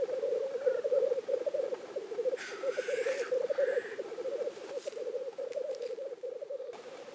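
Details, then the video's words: Displaying black grouse at a lek in Innvik, 2014. A steady low bubbling coo runs throughout, broken near the middle by a sharp rushing hiss and by a couple of quieter hissing sneezes. "Orreleik i Innvik 2014"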